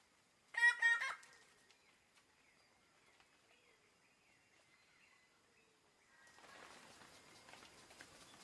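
A bird of paradise gives one loud, harsh, nasal call lasting about half a second and rapidly pulsed, followed by faint chirps and then a rush of rustling noise.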